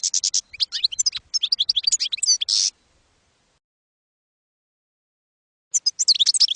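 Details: Campero song of a European goldfinch, recorded on a 2022/2023 CD for educating young goldfinches; a quick twittering phrase closes on a harsh buzz, followed by about three seconds of quiet and another high twittering burst.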